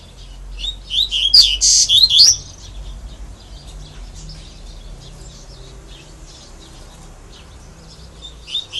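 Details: Double-collared seedeater singing a 'grego' style song: a brief burst of quick, high chirped and whistled notes with a scratchy buzz, followed by steady background hiss and a faint final note.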